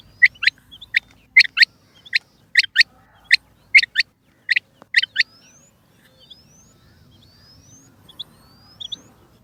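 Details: Female rain quail, locally called chinga batair, calling: sharp high notes given in close pairs, about seven doublets in five seconds, then a quieter stretch with faint distant chirps.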